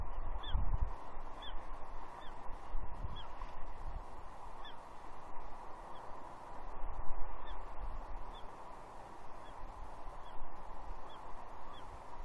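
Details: On 30 June 2021 at Two Harbors, Catalina, a juvenile female bald eagle calls for fish from her father; a long run of faint, high, slurred-down squeals, with wind thumps and constant hiss.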